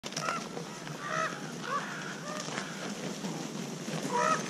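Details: Common ravens at a feeding site with boars giving hoarse, honking food calls, which indicate the caller's age and sex, about five in under five seconds, some overlapping, over a steady background hiss.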